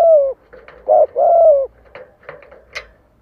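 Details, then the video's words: A spotted dove decoy luring wild doves to fight gives a long falling coo, a short hoot and another long coo, followed by soft clicks and a sharp tap. "TIẾNG CHIM CU GÁY MỒI CHUẨN GÁY GÙ THÚC KÍCH BỔI VỀ ĐẤU CỰC HAY"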